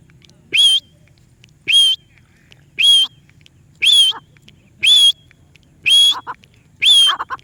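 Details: Parrot repeating a high, piercing whistled note seven times at a steady pace of roughly one per second, each brief and slightly buzzy, with faint softer chirps slipped between the later calls.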